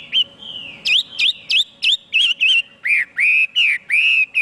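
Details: Chinese hwamei singing strongly: one long steady whistle, then a quick run of sharp up-flicked whistled notes, then slower slurred, arching whistles, about three notes a second, with a faint steady hum behind.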